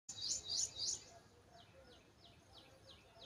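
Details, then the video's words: Baby bird in a nest built in a bike, excited after hearing its mother's voice: three loud, high, shrill chirp bursts in quick succession, then a run of fainter, thin downslurred peeps repeated several times a second. "BABY BIRD IS EXCITED WITH JOY AFTER LISTENING TO HER MOTHER'S VOICE"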